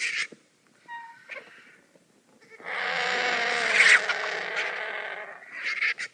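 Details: Vultures squabbling over food: short raspy bursts and a brief tonal note, then a long loud broadband hiss with rough grating texture lasting nearly three seconds, ending in sharper harsh rasps.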